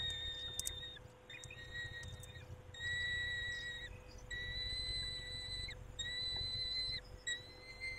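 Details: Peregrine falcon at a nest, the male tending the females, 19:40 on 23 May 2021; drawn-out whistled wailing notes, each about a second long, follow one another over a steady hiss.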